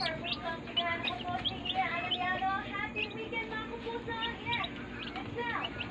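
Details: Healthy baby chicks in a brooder give clear, high cheeps, many with downward-sliding tones, crowding together into a constant twittering.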